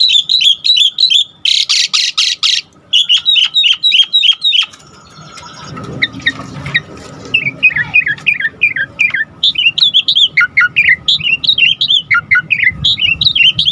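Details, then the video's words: Asian pied starling singing to provoke other starlings: chirpy whistled phrases and a string of loud harsh buzzy bursts, a brief quieter gap, then a long stream of varied slurred whistles. "Pancingan Jalak Suren GACOR Full Isian Bikin Tambah Emosi Burung Jalak Agar Lain Tambah Gacor Full"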